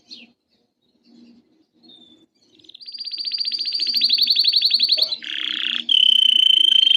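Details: Canary song played to make other canaries sing: quiet start, then a swelling rapid trill of repeated high notes for about two seconds, followed by buzzy phrases and a steady bright whistle.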